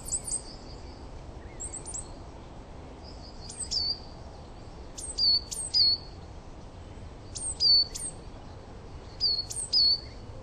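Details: Coal tit in a garden singing song variations: high, thin two-note phrases, each note dropping sharply in pitch, repeated every couple of seconds over a soft background hiss.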